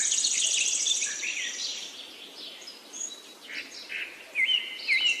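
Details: Several birds chirp. A rapid high trill opens, scattered short tweets follow, and a pair of loud looping whistles closes. A constant hiss of background noise runs underneath.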